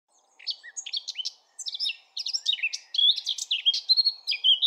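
Eurasian blackcap singing a rich, varied warble of quick chattering notes that builds into clearer, louder fluting phrases, in bursts of about a second.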